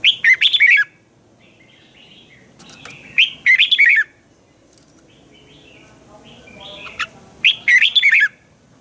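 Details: Red-whiskered bulbul from Thailand singing a training song: three short bursts of bright, liquid warbling notes separated by pauses of a few seconds, with faint quieter chatter between phrases.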